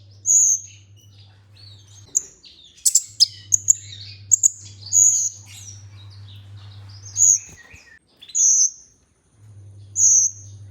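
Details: Olive-backed sunbird (kolibri ninja) lure recording: a varied run of shrill high whistles, sharp ticks and short slurred phrases, with drawn whistled notes recurring every second or so, over a steady low hum.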